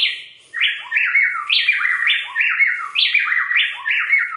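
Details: A Plain-tailed Wren pair, female and male, duet high on Andean slopes (about 7,500–10,000 ft), alternating rapidly. Loud, ringing whistled phrases step up and down about twice a second, so smoothly it sounds like one bird.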